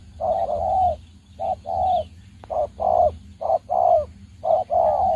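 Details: Spotted dove kept as a decoy bird for trapping gives loud, low, hollow cooing. Phrases pair a short coo with a longer wavering one and repeat about once a second, over a faint low rumble.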